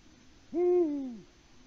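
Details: Latvian live camera, 6 March 2019, 18:06: a male Eurasian eagle-owl calling for a mate, no female answering, gives one booming hoot that swells, then drops gently in pitch, with a faint low hum behind it.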